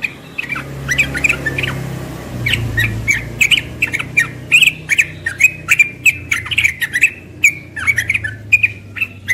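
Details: Young yellow-vented bulbul singing fast 'ropel' song in the morning: steady stream of short whistled, slurred notes in quick bursts, mixed with crisp clicking sounds and a faint low rumble.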